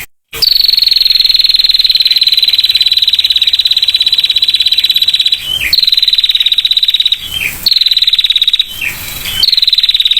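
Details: Female prinia delivering a clear trill: a long, steady stream of fast high pulses lasting over five seconds, followed by three shorter trills broken by brief downslurred notes.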